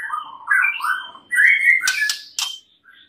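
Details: White-rumped shama training song with fill-in phrases: warbled whistles rising in steps, a bright sliding phrase, then sharp clicks and a short high note at the end.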